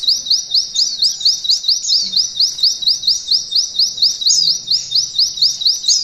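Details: High, bright rising whistles from a mountain white-eye, repeated steadily about twice a second in the canary-imitating 'nembak ngalun' style meant for training canaries, with only a soft low rumble behind.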